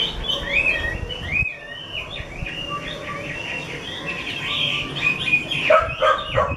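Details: Chinese hwamei of a skilled keeper pours out mixed whistled notes and chattering phrases, pausing briefly, then ending with louder harsh notes, over background rumble.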